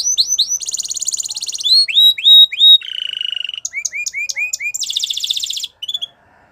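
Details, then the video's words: Canary song built from changing tours: quick upslurs, a loud buzzing trill, repeated rising whistles, a lower rolling rattle, sharp chips and another bright trill, all clear and close. "Canary Bird Singing | The Best Canary Song"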